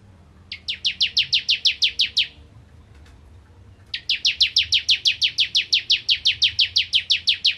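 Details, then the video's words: Bar-winged prinia in energetic 'nembak ngentrok' song: a run of about ten rapid high downslurred notes, a pause of over a second, then a long unbroken trill of roughly twenty-five evenly repeated notes. "Ciblek Kristal Gacor Nembak Ngentrok"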